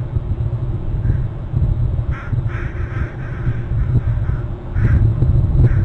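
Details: Bald eagle near its nest on Hornby Island, recorded by a fixed territory camera; short, harsh, fairly high calls come in a burst of about five notes, then a few more later, over a constant heavy low rumble.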